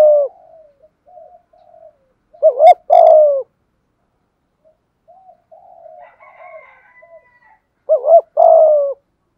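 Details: Spotted dove, Malaysian type, in 'thúc gù' cooing: two loud phrases of a quick double note and long falling coo, with a stretch of soft low murmurs between them.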